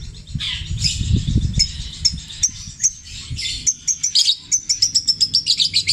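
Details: Cendet (long-tailed shrike) from Java singing mimicry of tengkek buto, kuntilanak and sparrow, petir style, long and repeated: scratchy jumbled phrases giving way to a quickening series of clear high chips.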